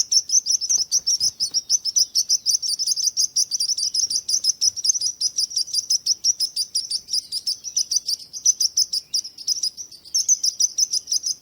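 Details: Singing birds give a long, fast series of high, clipped chirps, roughly three per second and unevenly spaced, sustained for over eleven seconds with little other sound.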